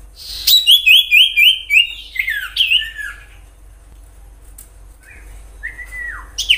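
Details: Common iora in 'gacor nyiul' song, used as a lure for other ioras: about five quick clear whistles at roughly four per second, falling slurs, then scattered softer notes.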